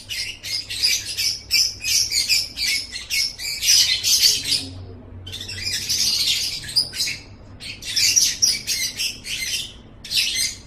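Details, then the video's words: Training recording of a lovebird singing a long run of shrill, buzzy chatter with squeaks, broken by two brief gaps, and a soft low hum underneath. "Masteran Suara Burung Love Bird"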